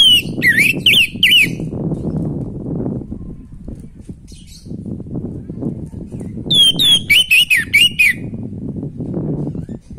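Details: Short whistled phrases of an orange-headed thrush, swooping and twisting, come in two clusters about five seconds apart against a constant low background rumble. Aimed at a bird short on breeding drive.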